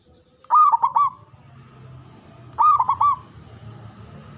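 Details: Local Javanese zebra dove with a big, loud voice and long breath, calling to provoke rivals into answering: two clear, mid-pitched cooing phrases about two seconds apart, each a quick series of rounded notes, over faint low background noise.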